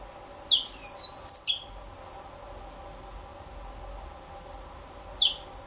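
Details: Young African citril singing brief high-pitched phrases: two quick clusters of sharp, sweeping twitters early on, a long quiet gap, then a final short twittering burst.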